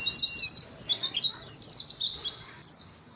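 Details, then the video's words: Caged Oriental white-eye in a 'ngalas' duelling bout, pouring out rapid high-pitched twitters and squeaky chirps in an unbroken run, one faint lower whistle at the start. "TERAPI ADU NGALAS SAAT KOLONI PLECI"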